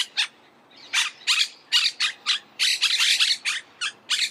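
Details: Monk parakeet (Myiopsitta monachus): a single screech, a pause, then a rapid string of rasping, metallic squawks that crowd together near the end.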